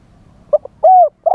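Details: Spotted dove used as a live decoy for luring wild birds, singing in wild-style phrasing: a pair of clipped notes, one long smooth hooting coo, then the start of another coo.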